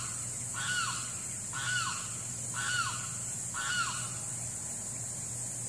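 A Limpkin gives four loud, wailing, arched cries, about one each second, over a steady high insect drone and a low hum.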